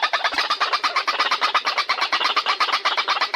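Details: Male, female and juvenile white-breasted waterhens heard together: a continuous, rapid, rhythmic stream of harsh, overlapping croaking notes, with no gaps throughout.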